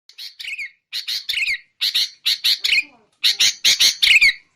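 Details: Sooty-headed bulbul in a noisy recording used to lure birds into traps: harsh, buzzy chattering notes in quick clusters of three to five, with short pauses between bursts and some notes ending in a slurred downward twist.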